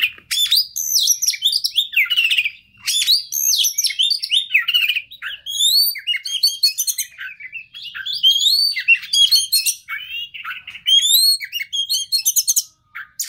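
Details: Oriental magpie-robin, played as a lure to stir a stressed caged bird to sing: a long, rich, unbroken medley of rising and falling whistles, chattering trills, and scratchy buzzes, very high and energetic, with short pauses between dense bursts.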